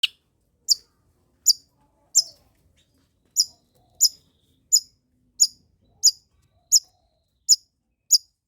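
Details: Long-tailed shrike song used to lure and tutor lazy shrikes into singing: sharp, high, clipped notes repeated roughly every three-quarters of a second, spaced evenly against a quiet background.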